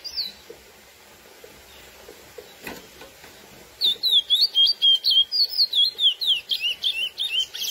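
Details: Classic female-exciting song of a lesser seed finch (Sporophila angolensis): a few seconds of near quiet, then a lively run of around sixteen sharp, looping whistles delivered rapidly and evenly, each note bending in pitch.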